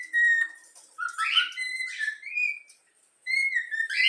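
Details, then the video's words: Young yellow-cheek cockatiel, a pet chick, whistling the Flamengo anthem: clear tonal whistled notes, some steady and some rising or sliding, in a melodic phrase broken by short pauses. "Bochecha amarela cantando o hino do flamengo"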